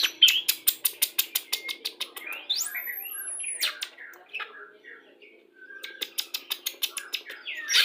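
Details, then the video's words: White-rumped shama of the Pastol type, whose song is played during pairing to bring birds into breeding condition. A fast series of sharp ticking clicks runs into a long, high, thin whistle, then more rapid clicks and a burst of chatter. "PANCINGAN MURAI BATU PASTOL CEPAT BIRAHI"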